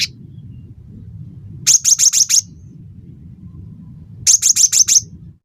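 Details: Cinereous tit (gelatik batu) singing as a training and singing-prompt recording: two bursts of five quick, very high, sharp repeated notes about two and a half seconds apart, over a steady low background rumble.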